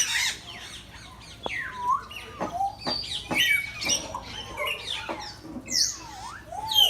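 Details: Birds at a Gazipur, Bangladesh safari park giving sharp clicks, shrill squawks and sliding whistles that dip and rise, irregularly spaced, overlapping at times.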